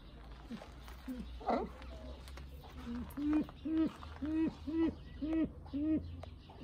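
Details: Brown eared pheasant: after a brief louder harsh burst, a run of six low, hooked tonal notes at a steady pace of roughly two per second, each with a short downward tail, against low-level background noise.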